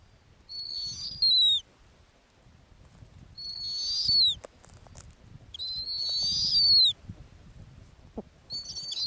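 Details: On the Arctic tundra, a nesting female snowy owl repeats a high whistled call roughly every two and a half seconds, each note sliding downward at its end, against a quiet background.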